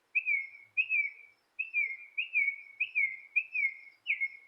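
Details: Bird chirping near a porch: clean repeated downslurred whistled chirps, each starting with a brief rise, delivered roughly twice per second in a quiet setting.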